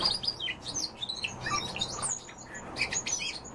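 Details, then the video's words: Common starling singing a busy, varied jumble of short high whistles, downslurred notes, clicks and chirps, one piercing pure whistle rising out near the middle and a brief loud burst near the end, with faint low background hum. "Sturnus vulgaris- СКВОРЕЦ"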